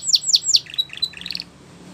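A Belgian canary sings three quick descending high whistles, then rapid bubbly trills and a sharp rising rattle, all bright and loud.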